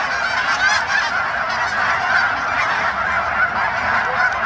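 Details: A short burst of a goose flock taking off, with crowded overlapping honks in a continuous chorus and a few clearer single nasal notes standing out above the mass.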